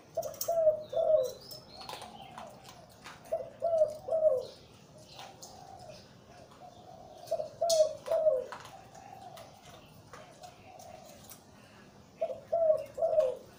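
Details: ['Zebra dove, a breeding male with a big, deep voice singing in the Liw Tan style: four low, throaty coo phrases, each of three or four rolling notes, spaced about three to four seconds apart amid light clicking noises.']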